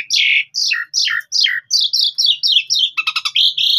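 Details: Javan pied starling in master song for other birds to copy: a series of loud, harsh descending whistles roughly every third of a second, speeding into quick chattering notes and a final rising whistle.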